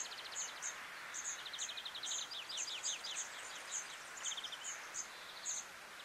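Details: European greenfinch (Chloris c. chloris) in Quiberon, France, in April 2023, giving quick dry trills and a short wheezy buzz, mixed with thin high chips repeated about every half second over a steady outdoor hiss.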